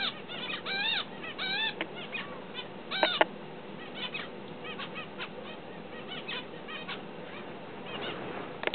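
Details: Practice singing by a tamed young-learning finch: scattered arched and rising notes, a few quick sharp clicks and chips, loosely spaced over a low constant hiss, louder near the start and around three seconds.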